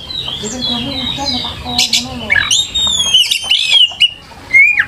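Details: Oriental magpie-robin lure singing: soft warbled notes over a faint low tone, then loud ringing whistles and rapid chatter, ending in a rising whistled slur.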